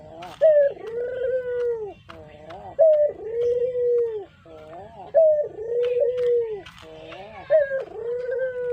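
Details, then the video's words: Spotted dove kept as a pet, its call suited as a lure: repeated phrases of a short sharp note and then a drawn-out soft coo, roughly every two and a half seconds, with faint clicking sounds behind. "Suara Merdu Burung Puter Coklat, Cocok Buat Pancingan"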